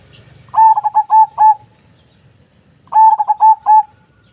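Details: Zebra dove singing: two short bursts of rapid, soft cooing notes around mid pitch, about five staccato coos per burst, separated by a two-second pause; quiet background with faint low rumble.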